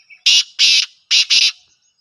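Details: Kala Teetar, the black francolin, of a Gangas or Sheedi nasal line. The call is four loud, rasping, broadband notes in two pairs: a short note and a longer note, a brief pause, then two closely joined notes. The background is quiet.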